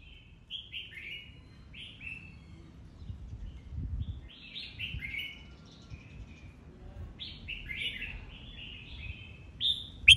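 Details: Red-whiskered bulbul singing in competition, delivering repeated short, liquid phrases of slurred, dropping whistles, grouped in quick runs with brief gaps, over a faint low rumble.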